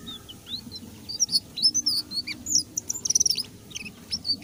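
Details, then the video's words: Indigo flycatcher singing vigorously: a string of clear, high whistled notes, some rising and some falling, with a quick burst of rapidly repeated notes midway, over a faint low background hum. "suara burung sikatan ninon gacor"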